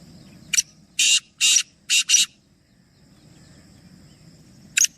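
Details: Black francolin call from a group of three birds: a sharp click, then four loud grating notes set as two pairs, one quick rasping phrase, then quiet with another click at the end.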